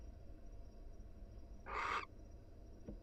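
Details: Wild barn owl pair cuddling inside their nest box; one short, harsh, hissing screech of about a third of a second over a steady low hum, with a faint tap shortly after.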